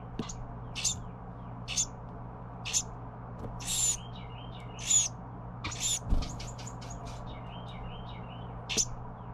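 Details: Fledgling Carolina wren begging as its parents bring food: frequent scratchy hissing rasps, roughly one per second, mixed with quick clicking bursts and soft slurred chirps, over a constant low background hum.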